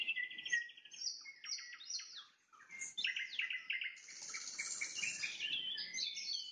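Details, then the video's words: Sunset song of a nightingale: rapid repeated notes and buzzy trills, a short silence midway, then a dense run of high, chattering phrases. "Пение соловья на закате, соловьиные трели"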